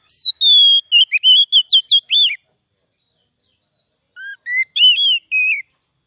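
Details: Oriental magpie-robin singing, used to lure wild birds in the forest and to excite kept ones: a burst of pure, high whistled notes sliding up and down, a two-second pause, then a shorter run of rising whistles.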